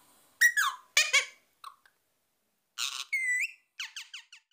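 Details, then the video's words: Pet parrot, a tame talking bird, whistling: short bright whistled notes, some sliding downward and some rising, in separate bursts with pauses, ending with a quick series of chirpy descending notes. "Cute Parrot Talking and Whistling"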